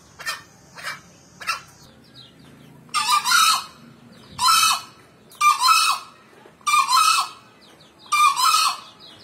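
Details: Male green junglefowl crowing vigorously: a run of harsh, hoarse, broadband bursts, each under a second and spaced one to two seconds apart, after three short sharp notes. Quiet background otherwise.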